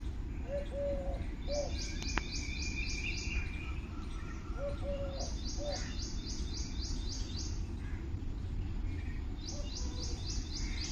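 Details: Birds chirping on a beautiful morning in nature: rapid trains of high, thin chirps come in bursts every few seconds, with lower short whistled notes and a brief rising call, over a steady low rumbling background.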